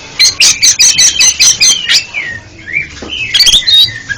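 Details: Oriental magpie-robin song for therapy of a stuttering pet bird: a fast run of about ten sharp repeated notes, then a smooth rising whistle and a closing chattery burst.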